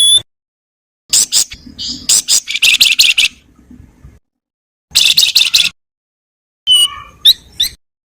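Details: Javan wergan singing a varied, chattering song used to tutor other songbirds. Loud bursts of rapid, harsh chips and trills are broken by sudden silences, and a few thin whistled notes close the passage.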